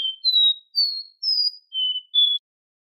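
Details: Copper seedeater (Sporophila bouvreuil), a breeder's bird, sings five clear, high whistled notes in about two and a half seconds, each steady or slightly sliding and gently varied in pitch, with no other sounds.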